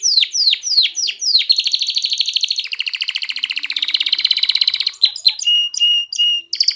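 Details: Canary singing to stimulate females toward mating and urge fledglings to sing: a few descending swoops, then a long rattling trill that gradually slows, ending in short clipped whistles and a flat held note.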